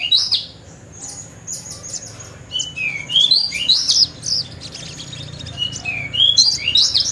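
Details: Horsfield's bush lark, a lark of dry stony open country, said to be rare and a good mimic, gives scattered slurred whistles and falling notes, with a thin steady high tone early on and livelier twittering later.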